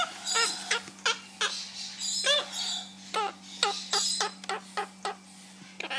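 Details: A monk (Quaker) parakeet at a parrot store, making friends, gives a rapid run of harsh, scratchy squawks, about two or three a second, over a steady low electrical hum.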